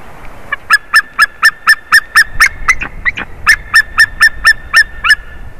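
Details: White-tailed eagle at its favourite tree during a changeover, 30 March 2019, 14:43. Some twenty loud, clipped yelping notes are repeated about four per second, with a brief pause and a few rougher notes before the series resumes.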